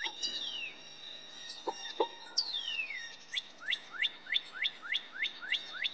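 Cardinal song: a few clear downslurred whistles, then a quick run of rising, upslurred notes repeated about three times a second. A couple of faint knocks are heard early on.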